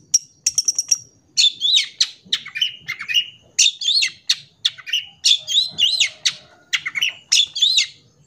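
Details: Long-tailed shrike, full clear song for training young birds: a thin high whistle, then varied warbling, harsh squawky notes and wavering, slurred phrases delivered in a steady, busy stream.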